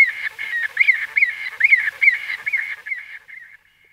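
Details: White-fronted bee-eater calling at close range: a quick run of nasal, squeaky notes, each slightly rising then falling, about a dozen packed into three seconds, some overlapping, fading out toward the end with quiet after.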